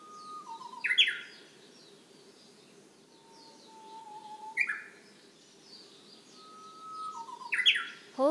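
Japanese bush warbler singing its 'hō-hokekyo' song three times, each a long steady whistle ending in a quick, bright flourish, about every three seconds against quiet background hiss.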